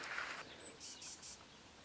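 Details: A great tit heard nearby in Spain gives a thin high whistle, then three quick, bright, evenly spaced notes, faint against a soft background hiss.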